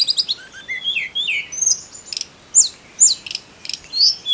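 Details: Snowy-browed flycatcher song used to provoke other songbirds: a jumble of high chips and short rising and falling whistles, then separated, sharp upward-flicked notes spaced roughly every half second over quiet background.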